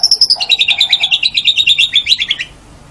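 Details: White-rumped shama singing as a master recording for songbird training: a rapid, even trill of about twenty sharp repeated chirps over two and a half seconds, ending abruptly in quiet.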